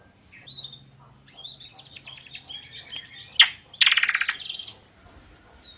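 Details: Drongo in loud, variable song: a soft run of twittering whistles, a sharp snap, then a harsh rattling series of rapid pulses, ending with a faint rising note.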